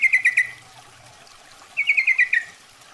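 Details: Female Yellow-vented Bulbul calling to attract a male, a trapping lure: two quick, bubbly chattering runs of repeated notes, the second longer and ending in a slight downward slur.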